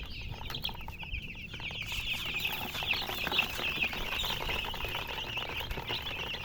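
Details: Domestic chicken chicks peeping as a group: a dense chorus of high, short, downslurred cheeps overlapping continuously, with a low rumbling background and some clicking knocks.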